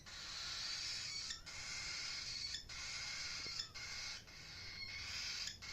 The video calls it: Cockatiel chirping sound